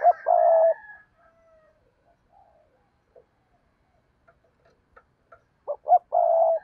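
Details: Spotted dove decoy bird calling to draw in wild doves. A long low coo opens, a quiet stretch with faint clicks follows, then two short notes lead into another long coo.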